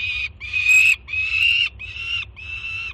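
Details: Juvenile peregrine falcon on a nest in Jersey City, June 2017, screaming with excitement as its mother arrives with breakfast; five harsh, rasping screams, each about half a second long, coming in quick succession with brief gaps between them.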